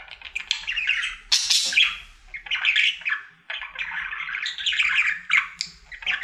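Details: Happy male pet budgerigar performing his daily song indoors: bursts of squeaky chirps, clicks and raspy notes in uneven phrases, separated by short quieter gaps.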